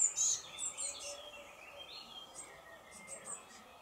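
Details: Young Eurasian blue tit in a nest box, ready to fledge and fed by its parent, begging: very high, thin squeaky chirps, loudest in a burst at the start, then fainter scattered peeps over soft hiss.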